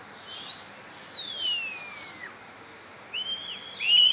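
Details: Starling, described as imitating chicken sounds: a long high whistle sliding slowly downward over about two seconds, a pause, then short level whistles and a sharp rising note at the end. Quiet background.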